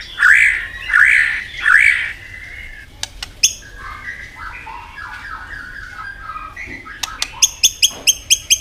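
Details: White-rumped shama in a singing contest: three loud whistles that rise then fall, soft varied twittering, and a closing run of sharp, high, evenly spaced clicking notes.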